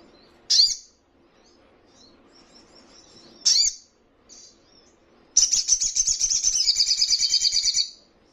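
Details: Ruby-cheeked sunbird training recording for caged birds to answer: two separated high downslurred chips, then a loud, rapid, shrill trill of evenly pulsed notes lasting over two seconds.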